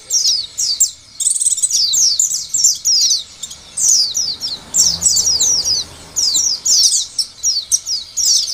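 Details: Lure song of an Oriental white-eye, meant to get other white-eyes singing: long run of high twittering phrases made of rapid downslurred notes, with faint background hiss throughout.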